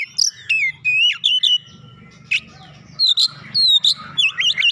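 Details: Oriental magpie-robin, a kept songbird stirred into singing, gives loud whistled phrases with sharp downslurred and rising notes, bursts broken by short pauses, plus a faint low hum beneath.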